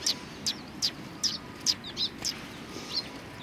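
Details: At a Tenmangu shrine, several sparrows utter loud, high, clipped chirps at a steady pace of roughly two or three per second, some notes slurred, over quiet low ambient noise.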